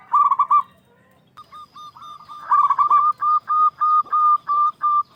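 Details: Loud local zebra dove song aimed at provoking rival doves to reply: an opening rolled trill, faint soft coos, then a very regular run of crisp, evenly spaced cooing notes about five per second, with a faint steady high tone behind.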